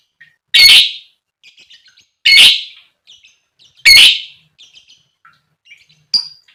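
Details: Lovebird calling to rivals, used to trigger long chattering from male or female lovebirds: three loud raspy squawks at even intervals of about one and a half seconds, with soft twittering notes and a short sharp chirp between.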